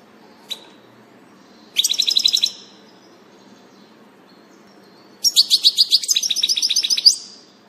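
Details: European goldfinch recorded on 19 June 2018: a faint tick, then two bursts of rapid twittering, liquid trills and tinkling notes, the second burst longer, about two seconds, with quiet gaps between.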